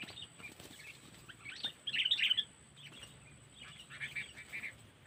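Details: Sooty-headed bulbul lure call in the cengkeram style from Lampung, used for trapping: bright chirpy notes in short bursts, a louder cluster of warbled twitters near the middle, then scattered chirps over faint rustling.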